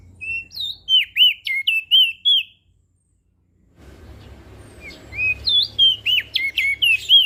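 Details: Sweet, busy song of a crested white-eye from Lombok for coaxing quiet birds: a run of fast looping whistles, a brief pause, then a second burst of similar swooping notes above a low background hum.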